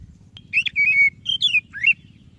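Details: White-rumped shama, white-breasted variety, prompting song for a shama that will not sing: a brief phrase of whistled slurs, a held even note, a descending sweep and a rising flourish.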